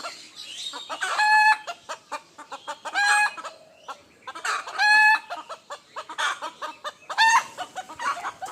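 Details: Morning rooster crows ring out about every two seconds, each a loud, harmonic, drawn-out cry, with short repeated clucks filling the gaps between them.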